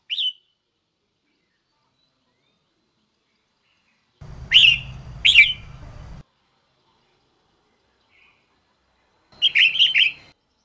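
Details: Female red-whiskered bulbul, caged, calling to stimulate males into song: a lone short chirp, then two sharp upslurred notes about a second apart, and later a quick run of four bright chirps, separated by long silences.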